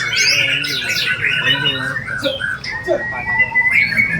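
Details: Bowing white-rumped shama delivering a fill-in-rich song: a burst of bright whistled phrases, then a long, level, high whistle held through the final seconds over faint low hum.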